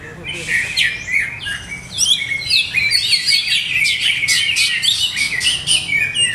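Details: Captive greater green leafbird in setup trials, producing a rapid, energetic chatter of high chirps and buzzy notes, about four per second, almost without pause.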